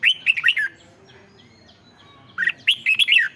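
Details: Red-whiskered bulbul song played to excite caged birds, two bursts of rich warbled, slurred notes around mid-high pitch, each phrase of four or five quick downward-bending notes, separated by a quiet pause.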